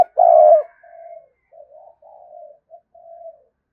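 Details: Spotted dove decoy bird cooing to provoke a response from wild doves: one loud, throaty coo, then a string of softer, lower-level coos with short pauses between them.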